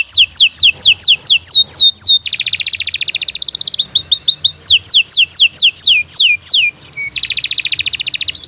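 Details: Long-singing canary meant as a tutor for young birds: series of sweeping down-slurred whistles alternating with dense, rattling buzzy trills, repeated several times.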